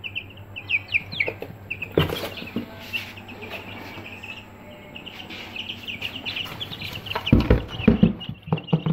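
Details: Aseel chicks kept in a brooder, giving short high peeping chirps in scattered bursts, with a steady background hum and occasional thumps and knocks.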